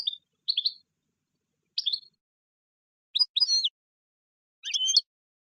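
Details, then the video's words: European goldfinch twittering in short, scattered phrases of liquid, slurred high notes separated by silences of about a second. Each fragment is varied and quick, and the background is clean. "بتبتة الحسون"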